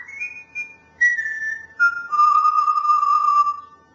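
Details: Grey parrot whistling the tune "Tulpen uit Amsterdam": a descending run of pure whistled notes, each a step lower, ending on a long sustained low tone in an otherwise quiet setting.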